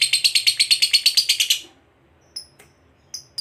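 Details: Fighter lovebird's ngekek trill, used to provoke a rival: a fast run of high chattering notes lasting about a second and a half, then silence broken by a few short sharp chirps.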